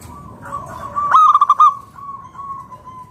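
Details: Zebra dove of local wild stock, kept as a lure to prompt other doves to call: a single fast burst of clipped, bubbling coo notes rises out of a faint held tone, then fades into a thin trailing note.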